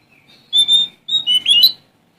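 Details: Sumatran male Oriental magpie-robin singing to challenge rivals: two clear sustained whistles, a short gap, then three quick up-sweeping whistled notes.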